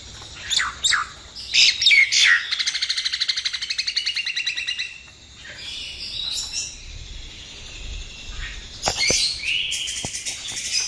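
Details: Common myna (jalak nias) delivering a full 'isian' song for tutoring: sharp chirps, then a long steady rattle of rapid repeated notes, a quieter whistle, and closing squeaky chatter.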